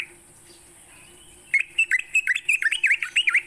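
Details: Sooty-headed bulbul, morning song for training songbirds: after a quiet second and a half, a quick burst of bright dipping whistles, about three per second, over a high background hiss.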